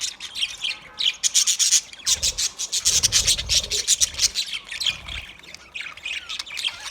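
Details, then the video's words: Budgerigar chirps come in rapid pulsed bursts with sharp upward squeaks, over a rough rubbing, scraping noise. "Parrot Calling sounds, Parrot sound video , Natural Budgie Parrot video , Birds chirping sounds"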